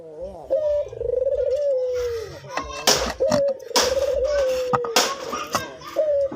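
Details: Cinnamon-headed green pigeon singing actively: long, wavering whistled notes that slide gently downward, repeated with short gaps, broken by several sharp broadband clicks or knocks.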